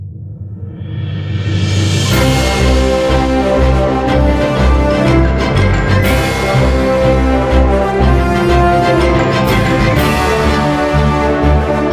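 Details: Loud orchestral theme music with deep drums and sustained brass fills the whole clip, with no animal voice anywhere.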